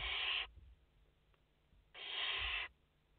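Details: Barn owl chicks in their nest, five of them, recorded live on 29 August 2021; a short rasping hiss, then about a second and a half of near-silence before a longer one.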